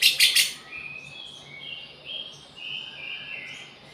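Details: Lovebird imitating cucak jenggot: three loud harsh chips open the phrase, followed by a string of soft, wavering whistled notes at moderate pitch.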